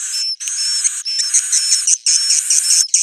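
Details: Swiftlet roosting call used as a lure: loud, nearly continuous harsh buzzy twittering in three long bursts, with a bright whistled note dipping and rising inside each.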